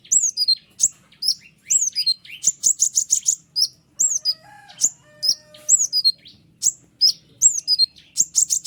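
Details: White-winged triller in full, sharp song used as a tutor recording for other songbirds. Descending whistled slurs alternate with rapid runs of clipped high notes. A fainter lower whistle from another bird sounds midway.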